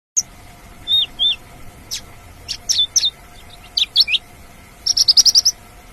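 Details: Wild Javan bush lark singing: scattered thin, high whistled notes and short slurred upsweeps, then a quick run of six sharp bright notes near the end, over a faint steady hum.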